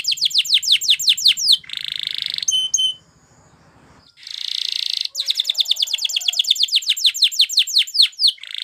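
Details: Belgian canary singing to train other canaries: rapid series of descending whistled notes repeated in fast trills, broken by two harsh buzzy bursts and a short pause mid-phrase.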